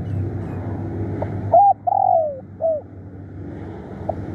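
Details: Decoy spotted dove in a fierce, persistent calling bout: a brief coo, then a long sliding descending coo and a short final note, over steady low rumble.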